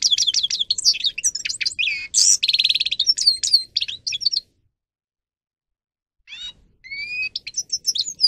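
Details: Grey-crowned goldfinch, a singer kept for training other goldfinches, delivers rapid twittering phrases of high sweeping notes and a buzzy trill, breaks off for nearly two seconds, then resumes with rising whistles.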